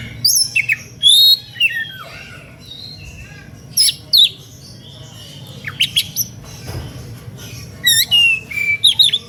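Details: {'text': 'Oriental magpie-robin delivering an energetic, fired-up song intended to goad other magpie-robins into singing; clusters of piercing high whistles and slurred descending notes come in bursts every second or two, with low hum underneath.'}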